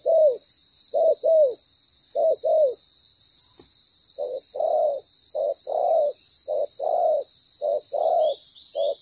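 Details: Loud-voiced decoy spotted dove calling while used for trapping, giving paired low cooing notes, short then drawn-out, in a regular series broken by a pause of a couple of seconds; constant faint high hiss behind.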